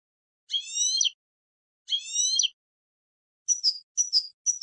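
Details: European goldfinch from a campero training recording for novice decoy birds: two drawn-out, nasal, rising harmonic calls about a second apart, followed by several short, sharp chirps.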